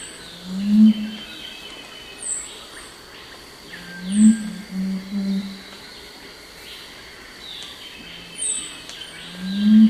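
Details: A Crestless Curassow gives its song, a low humming often given at night: deep notes spaced a few seconds apart, with thin high chirps and a steady forest hum in the background.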